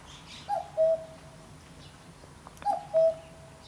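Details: Common cuckoo calling in a backyard at 5 am on 28 May 2017: two clear two-note cuckoo calls, a higher note dropping to a lower one, about two seconds apart, over faint background noise.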